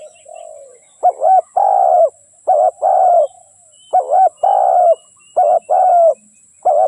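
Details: Spotted dove used as a lure to trap wild doves, calling briskly. A low opening coo is followed by five quick phrases, each a short double note and a drawn-out coo, with a faint rustle between them.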